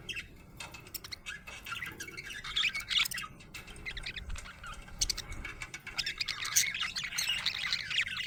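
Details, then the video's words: Happy budgerigar chirping in a busy mix of scratchy chirps and warbles, building toward a denser chatter near the end, over a low background rumble. "Happy budgie chirping sound"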